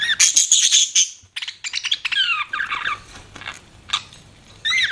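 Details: Pet budgies chattering: a loud rattling buzz, then many quick descending squeaky chirps repeated several per second, ending with a sharp warbled call.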